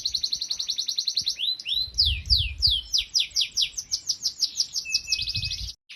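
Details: Master song of a canary for teaching young birds: a rapid rolling trill turns into looping down-slurred whistles, then quick repeated chirps and a final fast trill, with soft low rumbles behind.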